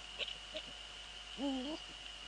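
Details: Eurasian eagle-owl pair near the nest in the Netherlands, night of 15 February 2013 at 04:40, male visiting female: a single short, rich harmonic call with a slight upward bend near the end, a few clicks and steady electronic whine.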